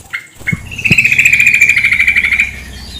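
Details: Two brief chirps, then a long, fast, pulsed chatter from a female sooty-headed bulbul running about two seconds at steady pitch, with a couple of soft thumps and running water in the background.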